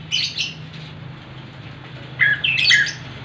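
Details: Orange-headed thrush in a relaxed, rolling song, giving two brief, scratchy phrases of mid-high notes, one at the start and a longer one after a two-second pause, over a steady low hum.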